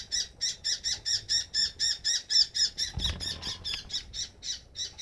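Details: Young oriental magpie-robin begging its mother for food near a home: a steady, insistent series of rasping squawks, about four per second, continuing without pause, with a faint thump in the background.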